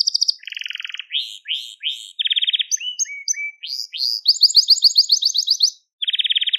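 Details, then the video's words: Crested Gloster canary pouring out varied tours: lower rattling trills, rising and falling slurs, a fast climbing run of bright notes, a brief pause, then another rolling trill. "Muhteşem Tepeli Gloster Kanarya Ötüşü | Gloster Kanarya Sesi"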